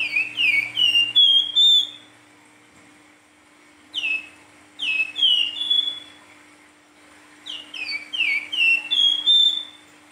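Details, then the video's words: Silver-eared mesia, known locally as flamboyan, singing energetically in the fluting style called nyuling: three bursts of clear, sweet whistled notes, each sliding down or up, four to six notes per burst with short pauses between, over a steady low hum. "Burung Flamboyan gacor nyuling"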